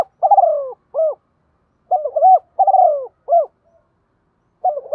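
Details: Decoy spotted dove calling to lure wild doves, in a Vietnamese field-style voice: repeated cooing phrases, each ending in a trilled descending coo and a short clipped final note, with gaps of about a second.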